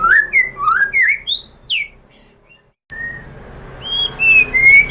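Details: White-rumped shama lure song to provoke other shamas: a run of loud, varied whistles and upward sweeps, a second of silence, then softer, long, flat whistled notes.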